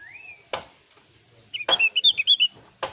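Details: Javan grey-throated white-eye lure song to prompt other birds to answer; a drawn-out rising whistle, then a quick burst of high twittering notes between loud clacking knocks.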